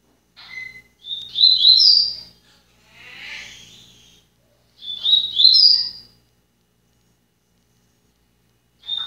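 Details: Seedeater song from a kept bird; two bright bursts of fast high chirps and whistles about four seconds apart, with a softer buzzy note between and a brief note at the end.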